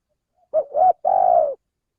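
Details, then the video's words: Male spotted dove from Indonesia, recorded as a lure for bird trapping, giving one three-part coo: two short rounded notes, then a longer, steady, slightly vibrating hoot, all mid-pitched and clean against silence. "suara pencingan burung tekukur"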